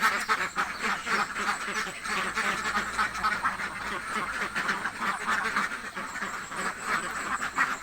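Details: Very hungry village ducks call in a crowded chorus of hoarse, repeated quacks, fast and irregular, with a faint low hum running underneath.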